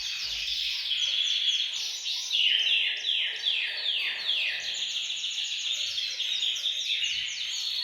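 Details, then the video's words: Group of canaries singing together in a bird room to stimulate males to sing: dense overlapping trills and descending sweeping rolls, constant and loud, with a faint low background hiss. "أقوى تحفيز لتغريد وتجهيز الكناري، تغريد جماعي في غرفة الطيور سيجعل طيورك تغرد مباشرة"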